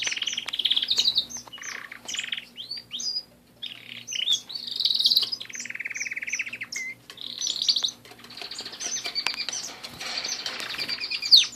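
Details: Caged pet canaries singing a long, varied song of rapid chirps, trills and buzzy rolled phrases, mostly high-pitched, in bursts separated by short pauses, with a faint steady low hum behind.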